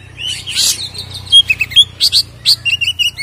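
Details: Oriental magpie-robin in a loud fighting-style song fill, used as a lure to provoke kept birds into agitation: varied, quick whistled and chattering phrases, sharp rising and falling notes in rapid succession, with a steady low hum beneath.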